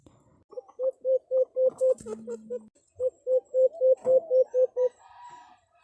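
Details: White-eared brown dove, locally called alimokon or imbor, giving its fighting call: two runs of short, even, hollow coos, about four per second, with a brief flat hum between the runs.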